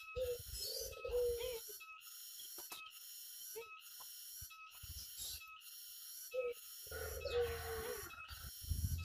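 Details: Tame turtle dove outdoors in the open: low, soft cooing notes, some short and some drawn out, come at irregular intervals. Steady hum and broadband noise run throughout, with rustling and knocking sounds between the coos.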